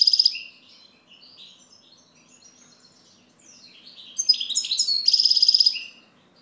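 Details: Goldfinch with scattered soft high notes, then a louder burst of quick twittering and a ringing trill near the end.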